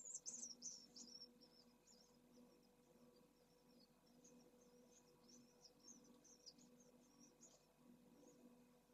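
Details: Pallid swifts at a nest with chicks in Jerez de la Frontera, Spain, in 2022, during a big feeding, give high, thin buzzy chatter, loudest in a first-second burst, then faint rapid twittering over a steady low mechanical hum.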